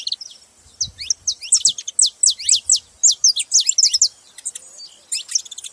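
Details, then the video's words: Saffron finches making noise: after a few softer chirps, a fast regular series of loud, high descending notes, about four per second, then scattered twittering. "Canarinhos fazendo barulho"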